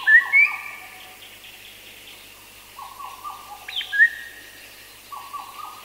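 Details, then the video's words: Black parrot song recorded among other birds including Madagascar cuckoo: loud short rising whistles near the start and around four seconds, with repeated lower stepped whistled notes from other birds through the middle and end. "Black Parrot. MCU Song"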